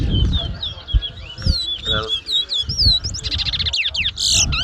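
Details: Towa towa (chestnut-bellied seed finch) in a 2022 bird whistling competition at Mahaica, Guyana: bright, rapid whistled notes and slurred up-and-down phrases, ending in a dense buzzy burst, over crowd chatter and low rumble.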